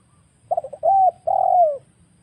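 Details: Wild spotted dove recorded as a lure for trapping birds: a few short stuttered notes, then two long mellow coos, the last sliding down at its end, over a faint low hum.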